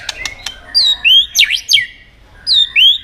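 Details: White-rumped shama in competitive, many-voiced song: a few sharp clicks, then clear whistled phrases sweeping up and down, with paired swooping notes and a rising whistle repeated after a short pause.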